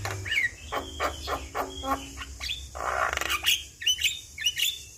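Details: Asian pied starling singing briskly, a lure for a stressed bird: soft rasping notes repeated roughly twice a second, a burst of noisy chatter, then bright squeaky whistles.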